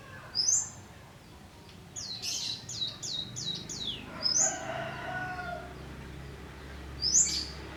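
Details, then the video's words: Juvenile forest prinia practising its song: scattered high, sharp chirps, then a run of five quick buzzy notes, followed by softer lower warbling and a final high chirp, with faint rural background noise. "burung ciblek alas belajar ngebreem"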